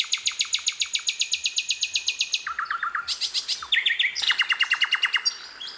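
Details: Wild sikatan londo flycatcher in nature delivers fast runs of identical clipped notes, about four per second, shifting abruptly between higher and lower pitches through a continuous varied song.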